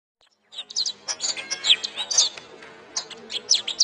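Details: Canary song used as a training master for caged songbirds, best played in the morning or afternoon: rapid high chirps, trills and short whistled notes starting after half a second of silence, with a brief pause midway.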